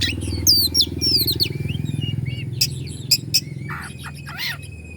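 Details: Oriental magpie-robin in Bandung, Indonesia, singing to provoke rivals: quick looping whistled slurs, then sharp isolated clicks and a rising buzzy phrase, over a steady low pulsing drone.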